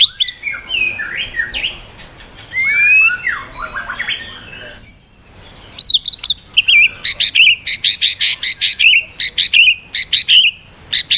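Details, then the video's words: White-rumped shama singing 'yến reo' style with quick voice switching to provoke other birds: varied slurred whistles first, a short pause, then a long fast series of buzzy chattering notes repeated about three per second. "chòe lửa hót giọng yến reo,bắn dây đảo giọng đánh đuôi kích chim cực mạnh"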